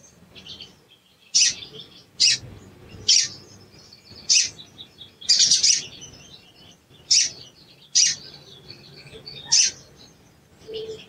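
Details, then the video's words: A sooty-headed bulbul gives sharp, high chirps, single or doubled, about once a second, with short pauses over a faint low hum. These are agitated calls used as a lure to prompt reluctant birds to sing. "CUIT CUIT PANCINGAN EMOSI SOGON"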